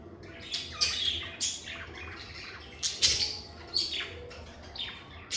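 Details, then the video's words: Captive lovebirds utter separate shrill chirps and short squeaks, each a sharp downward-sweeping note, spaced about a second apart, above a low room hum. "Lovebird Singing & Chirping Sounds"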